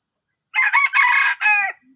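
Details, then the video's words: Junglefowl uttering a strange crow of four loud, raspy bursts over roughly one second, the third the longest, over a constant high-pitched background hum. "AYAM HUTAN SUARA ANEH"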